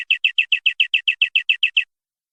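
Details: Canary singing in the vigorous 'gacor' style, known locally as 'nembak' and used as a tutor song for other birds. About thirteen identical falling double notes, each clear and sharp, come at an even quick pace over two seconds before silence.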